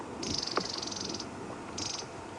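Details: A Long-billed Crombec (Sylvietta rufescens) gives two dry, high buzzy rattles as an alarm call. It seems deeply irked, with no obvious source, perhaps a snake. Recorded on an afternoon/sunset safari drive near a dam, 27 February 2016.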